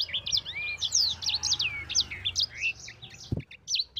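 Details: Yellow-fronted canary in vigorous rolling song, used to train other birds: rapid, varied high whistled notes and sweeping slurs, some rising and falling, tumbling together almost without pause; a single low knock near the end.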